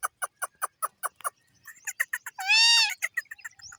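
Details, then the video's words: A caged talking parrot chirping: a steady series of short, sharp clicking chirps about five per second, then scattered chirps and one long, harsh, rising-and-falling squawk. "parrot ki piyare voice chirping"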